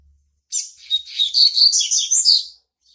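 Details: Young male Double-collared Seedeater, born in March 2019, starting to mark its territory: a single lively two-second phrase of rapid, high, slurred and buzzy twitters, varying up and down, clean with no other sounds.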